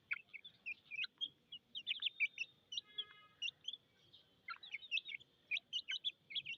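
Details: Chicks of domestic chickens peeping for water, a continuous flock chorus of high, brief, slightly falling notes, irregularly spaced and overlapping, over faint low noise.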